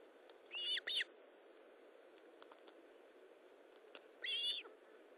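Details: Osprey at its nest during feeding, recorded 19 July 2012 at 9:43: a pair of short, harsh, whistled chirps close together, then a single longer chirp about three seconds later, over a steady background hiss.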